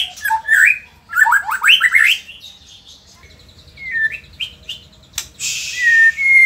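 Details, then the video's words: White-rumped shama in Indonesia, a lively performing bird, delivering quick rising whistled notes in a short rapid series, then quieter scattered chirps and a long thin high whistle near the end. "auto emosi !! murai gacor super figter | shama bird Indonesia"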